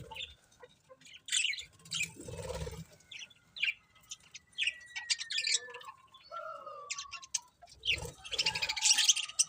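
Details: Several pet budgerigars chirping: bright, high chirps and short squeaky bursts come in clusters, with thin whistled notes sliding across the middle, irregular bursts of chatter spread across the clip.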